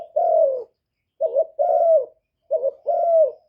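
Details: A captive spotted dove kept as a decoy to stimulate and lure wild doves, recorded directly without background noise; soft, low, hollow coos, a single drawn-out note, then two paired phrases of a short coo followed by a longer descending one.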